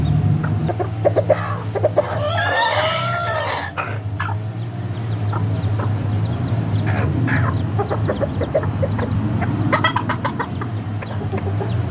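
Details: A rooster family making noise together: a long arched harmonic squawk early on, then scattered clucks and short calls, with a constant low droning hum throughout.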